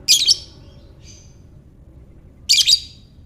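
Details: Lovebird giving ngekek-style calls, recorded to prompt other lovebirds: two shrill, harsh double-chirp bursts about two seconds apart, with a faint thin note between them over a quiet, low hum.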